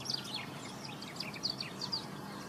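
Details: White-rumped tanager singing in the wild: a thin series of high, sharp chips and short slurred notes, spaced irregularly, over a steady background hiss.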